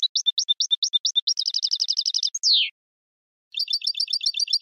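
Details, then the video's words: European goldfinch singing a contest song phrase: spaced high ticking notes speeding into a rapid buzzy trill, a sliding downward whistle, silence, then another quick repeated trill. "Canto del Jilguero 5 horas para educación de concurso"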